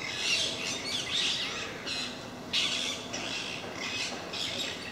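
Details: Parakeets in a group that regularly visits a park, creating a racket; loud, grating screeches come in rapid overlapping bursts roughly once a second, with low constant hum beneath.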